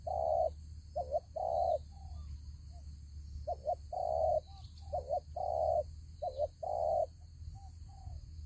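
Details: Spotted dove used as a lure in a fighting trap with a ground decoy, cooing steadily: paired short notes alternating with longer smooth coos in a rhythmic series, softer single notes between, against a low background rumble.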